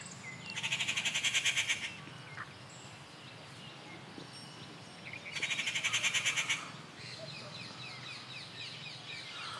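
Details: Rufous treepie recorded at Kattupadi, June 19, 2021, giving two loud, rasping rattling calls, each about a second and a half of fast evenly pulsed notes, roughly four seconds apart, with soft chirps between.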